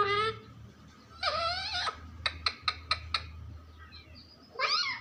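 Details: Pet parrot speaking: a brief harmonic call, a longer harsh phrase, then five sharp clicking notes and a final raspy squawk, with low room hum.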